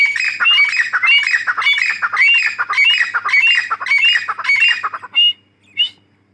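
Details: Female grey francolin, the Dakhni teetar, calling in a long loud series of harsh squawks with rising whistled tones, fast and fairly regular for five seconds, ending with two separate short notes.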